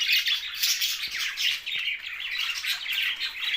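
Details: Loud, dense budgie chatter from a group of Australian parrots: overlapping scratchy squawks and high warbled chirps, almost without a break.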